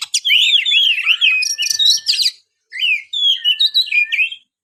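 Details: Kept white-rumped shama singing fluid whistled phrases that slide up and down, mixed with quick high notes, broken by a short pause before another run of whistles.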